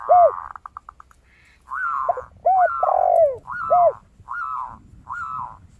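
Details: Zebra dove (perkutut), a lively singer with a 'crystal' voice played as a lure to spur other birds into song. Series of quick staccato notes, then short rising-falling cooed phrases, mixed with deeper arched coos of another dove.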